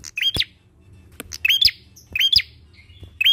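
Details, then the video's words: Lively bar-winged prinia song, used as a lure to get other birds singing: bright upswept chirps in quick pairs and triplets, mixed with sharp clicks and short high ticks, with brief gaps between bursts. "PANCINGAN PRENJAK KLAWU GACOR!"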